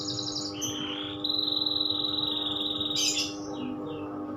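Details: Canary in loper style giving a quick trill, a long steady whistled note, then a sharp burst and soft descending notes, over a faint continuous hum.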